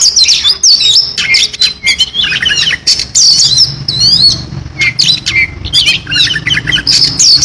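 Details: Oriental magpie-robin pouring out a varied song full of fill-in phrases, high whistled slurs and chattery notes in quick succession over a faint low background rumble.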